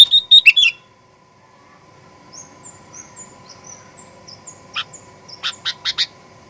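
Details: Sooty-headed bulbul, played as a lure to stir birds into aggressive song: a loud opening burst of rapid notes, soft high thin whistles, then a few spaced sharp notes with a steady hum behind.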